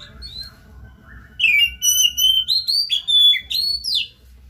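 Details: Oriental magpie-robin singing to spur another bird: a soft opening, then a sustained string of loud, clear whistles and slurs lasting about three seconds, each note sliding in pitch.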